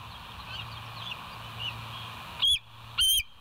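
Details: After a hissy pause, two loud high piping notes from a bald eagle ring out near the end; recorded by the West End live cam at 07:03 on 29 August 2023.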